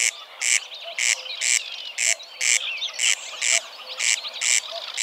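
Dry, rasping double notes, crex-crex, repeated steadily about twice a second; thin twittering from other birds runs underneath.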